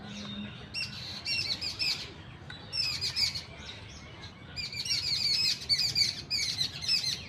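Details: Several Indian birds chirping in a wooded pocket of a city: rapid, sharp, high-pitched twitters in quick clusters separated by short pauses, growing livelier toward the end, with a faint low hum of traffic beneath.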